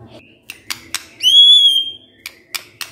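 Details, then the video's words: White-rumped shama lure song meant to provoke other shamas: one long, clear, high whistle that rises and then holds, framed by sharp ticking clicks. "Pancingan Murai Batu Bongkar Isian"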